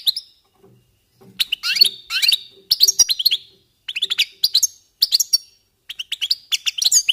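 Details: European goldfinches warming up with scattered short bursts of sharp, tinkling twitters and rising slurred notes, growing denser toward the end with brief gaps between phrases.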